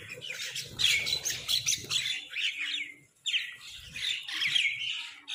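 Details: Crows competing for food give loud, grating squawks that tumble together. A short silent gap splits two harsh, busy bursts of calling.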